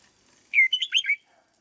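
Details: Caged red-whiskered bulbul trained as a lure bird sings a single clear, fast phrase: a long slurred opening note followed by three quick, rolling warbled notes.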